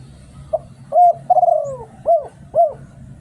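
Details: Spotted dove in Thailand giving a decoy lure coo: a soft opening note, a strong steady coo, a long buzzy pulsed note sliding downward, then two short arched coos about half a second apart, over a low steady hum.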